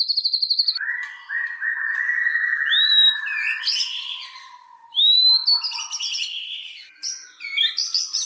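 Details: Shama lure song to provoke other white-rumped shamas: a quick trill, then lower buzzy phrases, sharp upslurred whistles and varied chattering notes in a rich, changing sequence.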